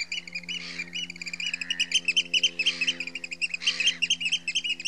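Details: Alarm calls of a Eurasian oystercatcher at Heybridge Basin, Essex: rapid, loud piping notes given in an unbroken stream, with a low steady mechanical hum underneath throughout.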